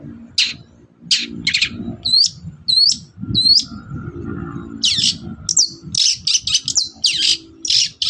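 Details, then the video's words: Long-tailed shrike in morning song used to get other birds to answer. A varied run of harsh rasping notes mixed with clear upslurred whistles, quickening toward a dense chattering end, over a low background rumble. "CENDET GACOR PAGI HARI BIKIN BURUNG APAPUN EMOSI NYAUT BUNYI"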